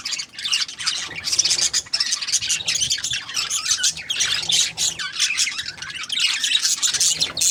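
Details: Budgies warbling and squawking together, a thick stream of high, buzzy and squeaky notes that swells and eases but never stops.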